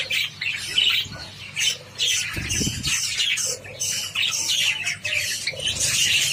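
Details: Java sparrows eating wheat, kept birds: rapid high scratchy chattering calls in irregular bursts, with a short low rustle or thump near the middle, likely from feeding activity.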